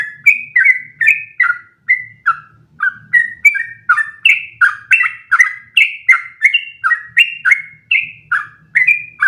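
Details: Sooty-headed bulbul delivering a long one-breath song used as training material; lively, unbroken series of short whistled notes, rising and falling, roughly three per second, with light low hum behind.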